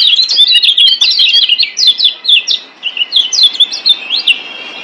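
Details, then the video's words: Kecial kuning, the Lombok yellow white-eye, singing a master song meant to get silent caged birds singing: rapid, high, twittering phrases of quick up-and-down slurred chirps, about two per second, with a brief dip midway. "Masteran Kecial Kuning Ampuh Bikin Kecial DIAM Malas Bunyi Jadi NYAUT GACORRR"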